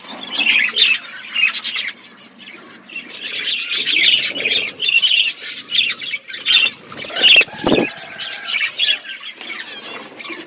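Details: Budgies eating food keep up a busy stream of chirps, squawky warbles and short whistles, with a brief wing-flap or rustle in the middle and quieter gaps between bursts.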